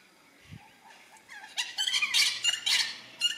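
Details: Yellow-tailed black cockatoos in Tasmania, Australia: a run of harsh, rasping squawks in quick succession after a few softer, wavering notes, with faint background noise.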